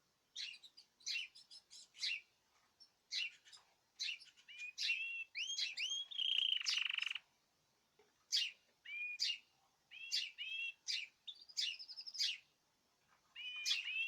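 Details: Caged birds singing together, 14 March 2026: sharp chirps and paired rising whistles repeated irregularly, with a short buzzy rattle midway and quieter gaps between phrases.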